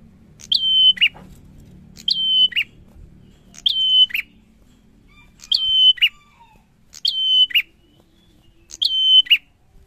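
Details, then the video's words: Steady bar-winged prinia singing: six evenly spaced phrases roughly every one and a half seconds. Each is an upswept note, a sustained flat whistle and a lower closing note. A soft low rumble runs underneath. "PRENJAK GACOR SORRR"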